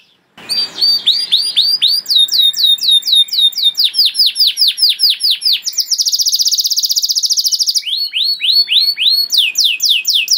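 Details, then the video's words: Vigorous canary singing as a training master for young birds: after a moment of quiet, bright slurred notes repeat rapidly, then a high buzzy trill lasting about two seconds, then more rolling slurs. "KENARI GACOR PANJANG CENGKOK ISTIMEWA COCOK BUAT MASTERAN KENARI PAUD || VOICE OF CANARY"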